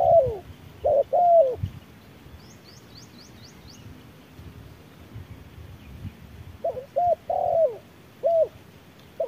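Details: Spotted dove at midday during a decoy challenge: a few short and falling coos open, a long quiet gap with a brief high twittering series follows, then another run of paired and falling coos.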